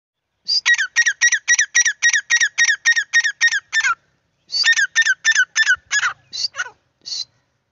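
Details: Grey francolin call: a fast series of loud, harsh, squeaky notes, about fifteen in a row, a short pause, then another run of notes tailing off into a few spaced calls.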